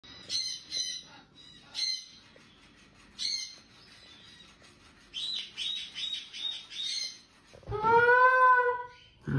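A cockatoo gives short, bright chirps in scattered bursts, then a quick run of six or seven squeaky notes, ending in a drawn-out, voice-like harmonic cry.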